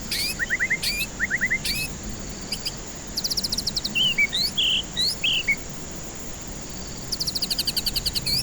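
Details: Lure song of a white-rumped shama for stressed, silent birds. Quick clusters of rising whistled notes alternate with rapid buzzy rattling bursts and a few looping warbled phrases, with gaps of hiss between.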